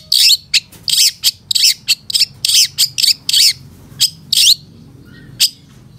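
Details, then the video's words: Training master of a long-tailed shrike with mimicked fill-in phrases: loud, very high, harsh chirp bursts repeated roughly twice a second, then a sparser few notes, low background hum. "Masteran Suara Cendet Satu Titik Nagen❗Pancingan Cendet FULL Isian MEWAH"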